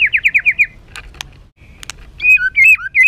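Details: Agitated white-rumped shama song for provoking other birds: a fast series of six down-slurred whistles, a few sharp clicks, then varied looping whistled phrases.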